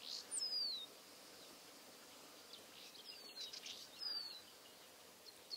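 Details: Rock bunting singing from a rockrose (Cistus ladanifer) in barren, open ground with dying rockrose scrub: thin, very high, quick descending notes in brief bursts a few seconds apart over soft hiss; a corn bunting is also present.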